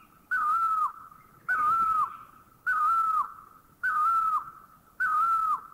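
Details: Great Barbet (Psilopogon virens) in a Thai national park (Khao Yai, Doi Inthanon, Doi Suthep-Pui or Chae Son), calling loud, mournful mid-pitched notes, each with a slight waver and a drop at the end, about once a second.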